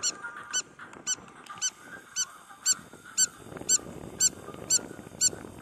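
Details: Spur-winged lapwing at a beach in Marsa Alam, Egypt, giving a series of eleven hard, ringing tick notes spaced about half a second apart, with a soft hiss of background noise.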